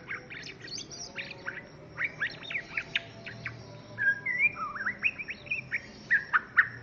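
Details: Juvenile white-rumped shama singing: bursts of sharp high chips and clicks give way to looping whistled phrases that dip and rise, mixed with rapid trills; low background hum throughout.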